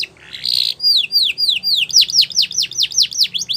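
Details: Belgian canary song for training young canaries: a short buzzy burst, then a steady series of about a dozen sharply falling whistled notes, roughly four per second.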